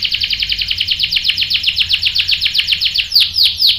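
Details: Canary song used as a lure to provoke other canaries into answering with sharp rolling song: a fast run of bright downslurred notes repeated about four per second, slowing into a few louder sweeping notes at the end.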